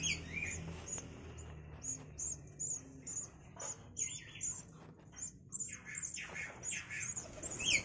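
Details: Five-day-old Javan myna nestlings in an enclosure, fed alternately by the mother and father with grasshoppers and caterpillars; thin, high squeaks repeat rapidly, about twice a second, mixed with lower rasping calls.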